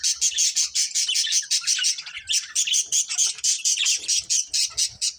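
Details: Breeding pair of budgies giving quick, evenly pulsed chirps, roughly a dozen short bursts in a row, then a brief lull and another run of rhythmic chirping.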